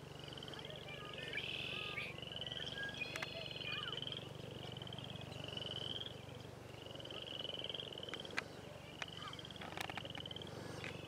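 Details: Yellow warbler in Bowmont Park, Calgary, Alberta, Canada, giving short, bright trilled phrases about every one and a half seconds, over a steady low rumble and faint background birds.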